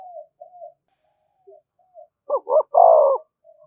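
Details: Spotted dove call meant to provoke other doves. Soft, short low coos drift at first, then one loud phrase follows: two quick notes and a long, rich coo.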